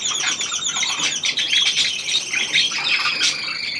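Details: Hand-tame pied budgerigar of the Australian type, new to its indoor home, pouring out a busy, scratchy warble with repeated chirps and a sharp squeak near the end.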